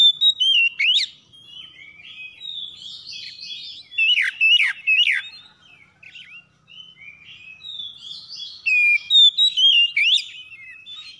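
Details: Oriental magpie-robins (kacer) calling back and forth in the morning, in a rough 'kasar' style. Three clusters of loud, sharp swept whistles alternate with softer buzzy warbling throughout.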